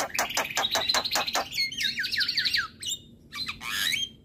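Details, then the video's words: Male Javan myna song, said to make other mynas agitated: a quick burst of rasping chatter, then a series of dropping whistled slurs and a few harsh squeaks. "Burung Jalak Apapun LAngsung Emosi Dengar Suara Jalak Kebo Jantan Masteran"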